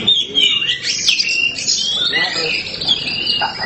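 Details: Kacer hitam Oriental magpie-robin singing vigorously in gacor manner: sweet high whistles, quick slurred notes and chirps in an unbroken run, with soft background speech.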